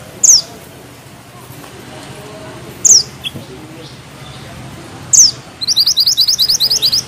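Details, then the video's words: Mountain bushchat (mantenan gunung) singing actively with tight rolls and sharp notes: high, piercing downward-sliding whistles spaced two to three seconds apart, a faint short chip between them, ending in a quick run of rapid, evenly repeated high chips. "Mantenan gunung gacor ngeroll rapat,nembak tajam!!"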